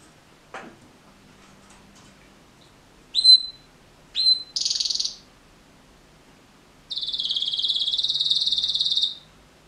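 A canary sings two short, sharp whistled notes, then a brief buzzy roll and a long, fast, even trill lasting about two seconds.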